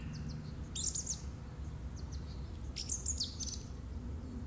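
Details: Song thrush in March 2018 delivering quick high, thin phrases, clusters of sharp repeated notes and brief squeaky trills, two bursts in a few seconds, with a constant low hum underneath.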